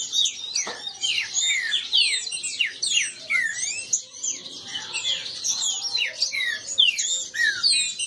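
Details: Kept green-winged saltators in a singing dispute: crowded, overlapping whistled phrases, mostly sharp downward slurs, pouring out without a break, with a faint knock near the start.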